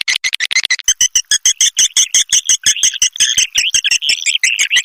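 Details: Swiftlet lure sound for attracting swiftlets: rapid, evenly spaced high chirps, about three per second, each bright and ringing, running without a break.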